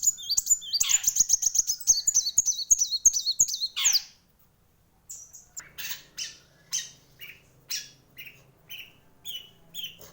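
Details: Kolibri wulung in full song: a rapid string of high, sharp falling notes for four seconds, a sudden silence, then slower spaced high chirps at roughly half-second intervals.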